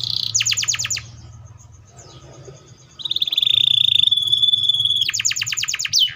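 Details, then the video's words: Canary song with two fast rattling trills framing a long, steady, slightly wavering high whistle held about two seconds, after a quiet gap; low hum underneath. "THE VOICE OF THE CANARIA SERINUS"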